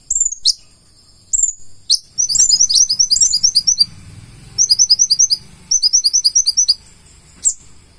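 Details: Konin (purple-throated sunbird) singing a full isian song: a few high swooping whistles, then long rattling runs of quick high chirps, with a low murmur underneath midway.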